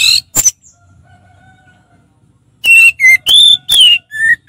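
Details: Ngeplong song of an orange-headed thrush: a loud whistle, then a pause with a faint steady tone, then five strong clear whistles at shifting pitches, some slurred downward.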